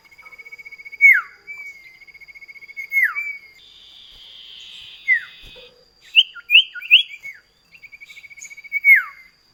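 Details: Common iora in a duet used as a lure for kept birds; rapid trilled notes on one pitch broken by sharp falling whistles, a buzzy hiss midway, then quick upslurred notes and another trill ending in a downward sweep.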